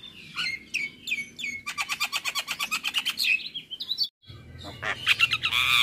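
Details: Male Javan myna singing in the morning, a full tutor song packed with varied fill-in phrases: high chirps and whistles, then a fast run of sharp repeated notes, a brief pause, and a harsh, buzzy burst at the end.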